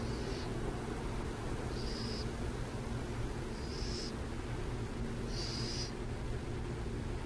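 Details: Raspy, hiss-like bursts from burrowing owls at San Jose, four brief high notes spaced one to two seconds apart, heard over a constant low background rumble.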